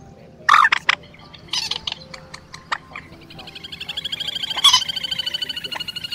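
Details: Rail lure recording from Vietnam: two birds of two local rail species, Quốc Biển and Trích Ré, call together. Sharp, loud harsh notes come in short bursts, then a fast, steady run of upper-middle rattling pulses lasting several seconds. Used for night-net trapping of March 2024 migrants.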